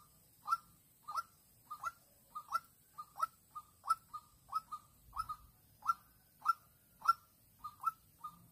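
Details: Young decoy white-breasted waterhen set out for trapping in Vĩnh Long on 16 March 2022 to attract an aggressive lone wild hen. Crisp single and paired kook notes repeat steadily, well spaced, against quiet surroundings with one low knock.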